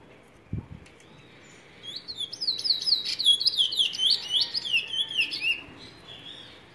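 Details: Trinidad bullfinch, known locally as cumuto, singing a fast series of high sweet slurred whistled notes, dropping and rising, about three per second for four seconds, after a brief knock.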